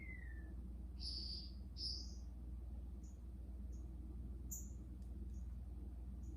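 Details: Green-backed twinspots, newly arrived captive finches kept in quarantine, singing a falling whistle followed by two bright buzzy high notes and several faint, thin high chips, with a constant low hum behind.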